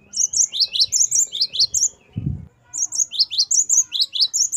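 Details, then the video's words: Great tit, locally called gelatik batu, singing in the 'wucit variasi' style used to train caged birds: quick, high, ringing two-note phrases repeated steadily, broken by a brief low thump and a short pause before resuming. "Gelatik batu gacor wucit variasi. Great tit. Singing birds."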